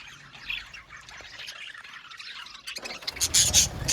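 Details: Budgies chattering in an aviary colony: soft, distant warbling twitters at first, then a sudden close, loud series of sharp rapid chirps and squawks in the final second and a half.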